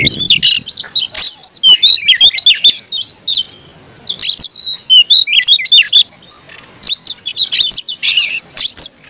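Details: Oriental magpie-robin, a kept songbird, pouring out an aggressive fighting song in dense bursts of sharp chirps, whistled slurs and scratchy notes, broken by a brief pause near the middle.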